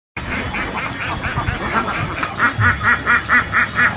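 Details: Ducks with ducklings in a pond: many birds quacking together over a steady background hiss. The quacks are nasal and rhythmic, becoming a regular, pulsing series of about two per second in the second half.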